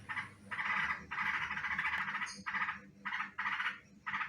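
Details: Actively calling garuda-type yellow-vented bulbul, used as a lure for trapping birds: harsh, buzzy chattering bursts, some long and some short, repeated with brief gaps.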